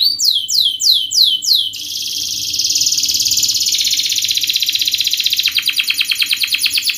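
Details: Canary in fast, tight, sharp song meant to lure and teach young canaries: a run of repeated falling whistled sweeps, then long continuous buzzing rolls, shifting into a pulsed clicking trill, with a faint low hum beneath.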